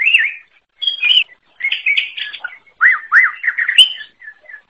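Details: Greater green leafbird with a varied song: looping whistled notes, buzzy chirps and repeated arched slurs, ending in soft short notes.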